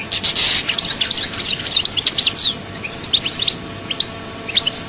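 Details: European goldfinch in Souk Ahras, Algeria, singing a dense run of high tinkling twitters that thins into scattered single chirps, with a harsh burst at the start and faint hiss behind.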